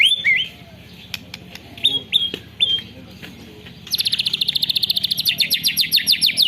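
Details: Phone recording of a white-rumped shama with canary filler song: a few scattered whistled notes and clicks, then a sudden long, fast, high chattering trill lasting nearly three seconds.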